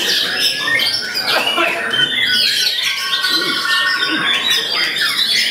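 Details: Murai batu (White-rumped shama) performing its sought-after style of full repertoire display from one perch: a continuous flow of bright whistles, upslurred notes and scratchy buzzes, fast and varied.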